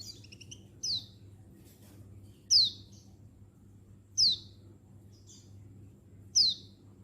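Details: Untulan white-eye female calling males; opens with a quick little run of high notes, then four loud, shrill falling chirps about every one and a half to two seconds, over faint hum.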